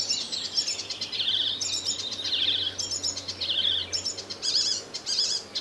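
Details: Icterine warbler singing full-out on 20 May 2014 in a wooded hedgerow by the Koreabosje near Midsland, Terschelling, in spring: a fast, varied jumble of high chattering, squeaky and nasal phrases with harsh notes, over faint background hum.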